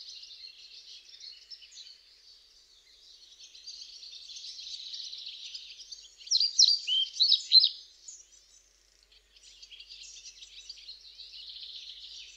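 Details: Song of a European pied flycatcher. A single loud burst of about five quick, bright, swooping notes stands out midway. Before and after it, a faint, continuous, high, buzzy twittering carries on.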